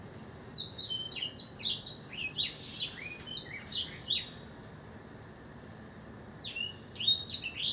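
A Blackthroat sings a quick run of high, sweet, chirping notes for about four seconds, pauses, then starts another phrase over a faint steady hiss.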